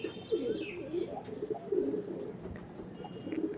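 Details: Several pigeons give soft, low burbling coos in short repeated bursts, with a few faint higher chirps and light knocking sounds nearby.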